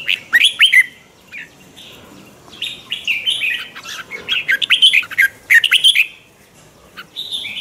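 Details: Red-whiskered bulbul giving a twisting, chattering morning song for training other birds: a sharp opening burst, a pause with soft notes, then a long run of quick warbled whistles and clipped chirps.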